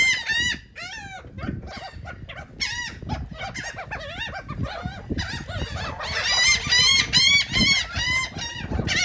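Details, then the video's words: Several seagulls calling while eating cake in Atlantic City, New Jersey, loud rapid yelping cries tumbling over one another, rising and falling, about two each second, over background bustle. "Seagulls are eating Cake"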